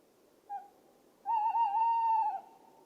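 Tawny Owl gives a short soft hoot, then after a brief pause a long, quavering, wavering hoot lasting about a second.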